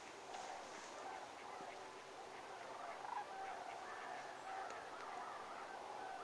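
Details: Several sandhill cranes at Whitewater park, Brookville, on 12/5/2019 give rolling, trumpeting rattles that overlap into a steady chorus for the whole six seconds, with faint background noise.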